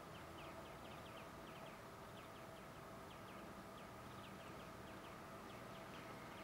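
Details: European greenfinch singing, recorded on a Sony HDR-PJ10E camcorder: faint, quick series of short rising notes, given in loose groups throughout, over a steady broadband hiss and low hum.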